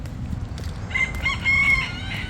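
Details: A rooster in a village-like yard in Fort Lauderdale, Florida, crows with a strained, drawn-out note, calling to its hens over a low outdoor rumble.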